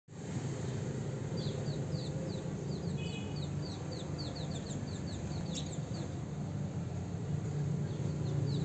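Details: House sparrows at mating time, giving short, high descending chirps in quick loose series through the middle seconds, over a steady low rumbling hum.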